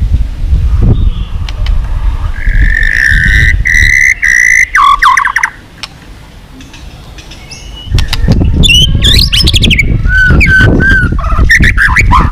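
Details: White-rumped shama singing intensely, a recording used to spur other birds into contest singing: clear whistled phrases, one long steady whistle near the start, then varied rising and falling notes, over a steady low rumble.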